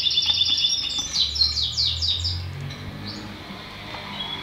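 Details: A Belgian canary delivers a fast sequence of rolled, sweeping high notes in a rhythmic run, fading into softer twitters, with a faint low hum beneath.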